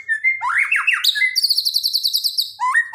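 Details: Borneo white-rumped shama song played as daily master training for a bird that has stopped singing: rising and falling whistled slurs, then a fast, high, buzzy rattling trill and closing upward whistled notes.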